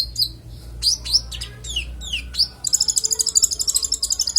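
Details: Konin singing varied, clear song, suited as a master recording for training songbirds: sharp downslurred whistles in quick succession, then a rapid rattling trill of bright, high ticks.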